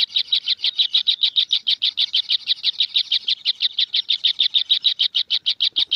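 Kingfisher chick giving a fast, steady series of harsh, buzzy high notes, about five each second, with no other sounds.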